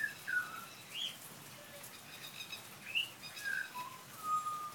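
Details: Pied butcherbird sheltering from rain under verandah eaves gives clear, fluty whistled notes, some slurring down and others rising, spaced roughly a second apart over a faint steady hiss.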